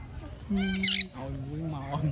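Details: Alexandrine parakeet during feeding gives one brief, loud, harsh squawk, framed by a person's voice and a low background hum.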